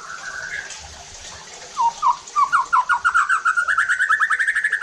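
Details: White-rumped shama provocation song for making other shamas sing roughly: a short whistle, then an accelerating trill of repeated, sharply rising notes that grows steadily louder and faster to the end.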